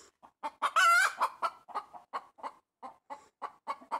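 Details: Pet hen perched on a tree branch, calling loudly: an early harsh squawk followed by a steady run of short, evenly spaced clucks, roughly three per second.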